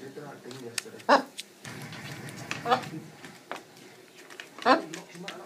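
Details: Pet macaw chatting and dancing indoors, chattering in raspy, speech-like phrases with three loud harsh squawks about two seconds apart and softer mumbling between, in a small room.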